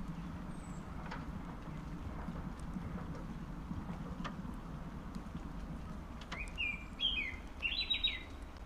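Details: Albino osprey at Urdaibai, 3 June 2021 at 13:23. After several quiet seconds of low rumbling background noise, a burst of short, clear whistled notes comes near the end, partly rising and repeated in a quick series.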